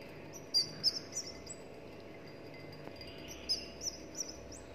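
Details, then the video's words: Seventeen-day-old albino red-whiskered bulbul nestling, raised by hand from hatching, uttering quick runs of sharp, high, downslurred peeps, two short bursts about three seconds apart, against constant low hiss. "Chim chào mào bạch tạng non 17 ngày tuổi - chim con"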